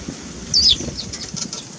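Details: Eurasian tree sparrow making a single loud, brief chirp that slides downward, set against a quiet low rumble.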